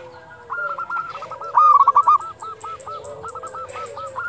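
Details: At dusk, a local zebra dove used as a lure for quiet doves gives long strings of clipped, bubbling coo notes, loudest in a rattling burst midway, with faint high ticking alongside.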